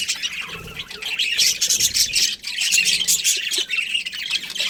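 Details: Budgerigar breeding pair chirping: softer scratchy twitter at first, building into louder, continuous high chatter and squawky chirps through the second half.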